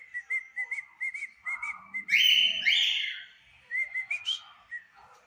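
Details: A pair of pet cockatiels, one white and one yellow, singing at 5 pm: a run of short, clear whistled notes repeated in quick succession, broken by a loud, harsh, buzzy burst, then more rapid whistles.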